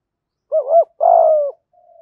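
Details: Spotted dove decoy calling in the 'thổ' voice style to bring in wild doves: a quick double coo, then a drawn-out level coo trailing off softly.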